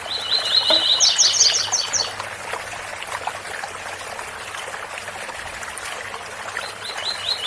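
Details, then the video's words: Double-collared seedeater singing the tui tui bitola song beside falling water: one loud phrase of quick repeated slurred notes rising into buzzy high chirps, then only rushing water until a faint phrase at the end. "Coleiro Tui tui bitola com som de cascata"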